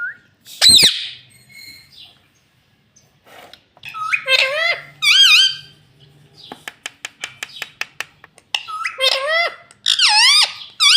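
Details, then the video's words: Pet talking parrot that says "Mitthu Mitthu" and "Mummy", in a small room: a sudden loud shriek, then strings of ringing harmonic calls that rise and fall, plus a rapid train of clicks around eight seconds. "Talking Parrot Mitthu Mitthu 😘 Bolne Wala Tota 🥰 Mummy Mummy Bolne Wala Tota"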